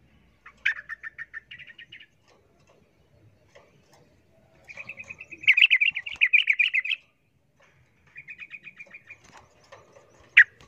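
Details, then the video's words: Rapid fighting-style call of a sooty-headed bulbul set against a wild bird. Short trilled chirp series come in three separated bursts, the middle one loudest and most intense, ending with a single sharp note. "Suara trucukan ribut Garuda ropel tarung vs trucuk Liar bikin trucukan lain ngamuk kepanasan"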